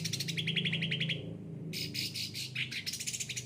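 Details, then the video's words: Cucak ranting kept in a cage and often pampered: a rapid, steady trill of about a second, a short gap, then dense buzzy chattering notes; low background hum. "gacor cucak ranting"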